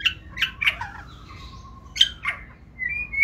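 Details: Caged white-rumped shama of the fire-rumped type in Vietnam, singing a forest-style song: loud chirped notes and sweeping whistles, with a long thin whistle held in the middle and a rising two-part whistle at the end.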